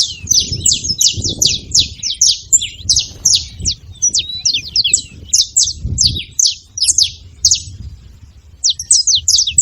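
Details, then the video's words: Saffron finch calling noisily, pouring out clipped high-pitched chirps in quick succession with only short breaks, the notes slightly varied in shape, above soft low background noise. "Canário da terra fazendo barulho"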